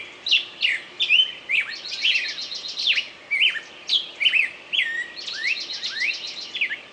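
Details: A bird pours out fast, varied phrases of high swooping whistles, downward slurs and buzzy rattled trills, phrases following each other closely; low hiss underneath.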